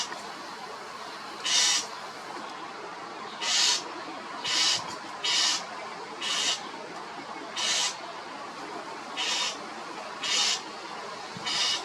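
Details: Common starling (European starling) giving loud calls: harsh, hissing screeches repeated roughly every second or so in short bursts over a steady background hiss.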